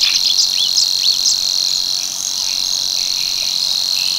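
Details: Monotonous high reeling of Savi's warbler at l'Albufera's Tancat de l'Illa, steady throughout, with a few clear upslurred whistles from another bird in the first second and a half.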